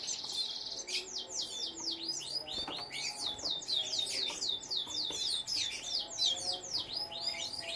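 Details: Domestic canary kept for breeding alongside young canaries, singing a fast run of sweeping, downward-slurred whistled notes repeated about four times a second, with brief buzzy trills and faint low background hum.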